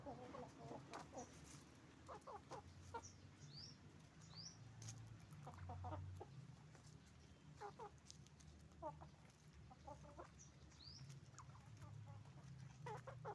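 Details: Roosters and hens on a chicken farm: bursts of rapid clucks repeating through the scene over a strong low machine hum, with occasional high chirps from other birds.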